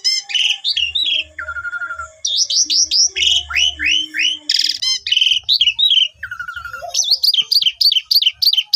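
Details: Asian pied starling (jalak suren) song used as a lure to start other starlings singing: rapid repeated whistled notes, falling buzzy series and rattles in a fast, energetic stream.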